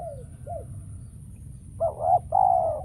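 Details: Spotted dove decoy calling during trapping while wild birds fail to show. Faint soft curved notes at first, then after a silence one louder coo phrase: a short note followed by a long, steady one.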